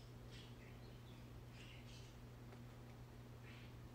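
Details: Java sparrow kept as a pet, petted in the morning, uttering brief, quiet chirps in quick little clusters, about five notes in four seconds, against a constant low hum indoors.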